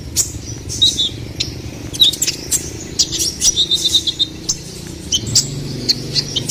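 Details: High, scratchy chirps and short buzzy trills from a ruby-cheeked sunbird, intended as master and lure sound for songbirds, spaced irregularly over a low rumbling background noise.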